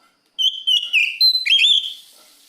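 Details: Oriental magpie-robin song calling a rival: a loud, clear whistled phrase with short stepped notes, then an upward-sweeping, warbled ending, with faint hiss as it fades.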